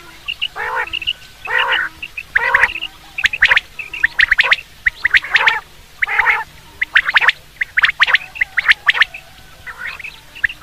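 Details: Common quail call for hunting: rough, throaty bursts and crisp doubled or tripled notes repeated at roughly one-second intervals throughout.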